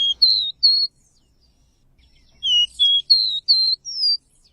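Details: Seedeater (caboclinho) giving pure, high whistled notes in two bursts separated by a short silence. Each note is level or gently falling, and the later phrase runs five notes in quick succession.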